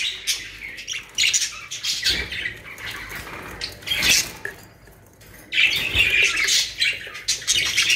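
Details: Budgerigars in a cage collection in Pakistan produce scratchy, high warbling chatter broken by a quiet gap, then a dense burst of squeaky calls, with faint clattering from the cage.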